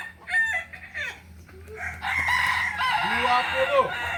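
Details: Kukuak Balenggek rooster crows at a practice session in Ampang Kualo, Solok, in May 2024. Short harmonic crow notes come first, then a louder, longer, stepped crow, with other birds and voices beneath.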